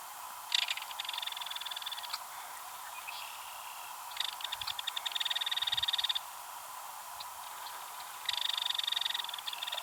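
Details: Belted kingfisher female giving her rattle at Ted Shanks Conservation Area, Pike County, Missouri, excited after a possible mate flew by rattling: three dry, rapid ticking rattles of one to two seconds each, evenly spaced, over steady background hiss.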